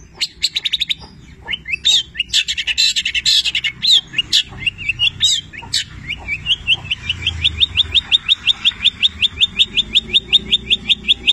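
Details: Long-tailed shrike of the Petir type singing actively, its song richly filled with mimicry of labet and canary. Varied high chattering phrases give way to a fast run of rising whistled notes repeated several times a second.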